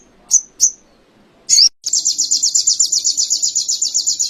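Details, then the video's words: Canary song used as training material for songbirds: a few sharp high chips, a brief burst, then a fast, even, high-pitched rolling trill of rapid repeated notes that continues steadily to the end. "Masteran sogon kekinian materi kenari"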